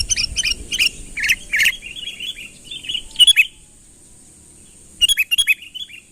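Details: Sooty-headed bulbul calling to draw in a rival, with short groups of chirped, slurred notes, a steady high hiss behind, a silent gap near the middle, then a closing burst of quick notes.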